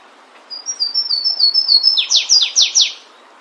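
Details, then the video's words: Flavescent warbler (canário-do-mato) singing in the wild in Brazil: a run of thin high whistled notes rising in intensity, ending in four loud rapid down-slurred sweeping notes, about two per second. "Canário do Mato cantando bonito na natureza. Aprecie o lindo canto deste canário diferente."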